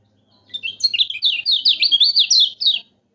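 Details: Lemon-bellied white-eye pouring out a lively string of high, rapidly modulated whistled notes, about ten loud slurs in two and a half seconds, with a faint low hum beneath.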